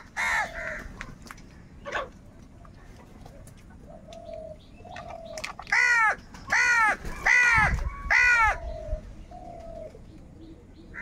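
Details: Crows in a group, angry and calling for food: a run of four hoarse, harsh caws roughly a second apart midway through, after scattered softer calls and low cooing notes.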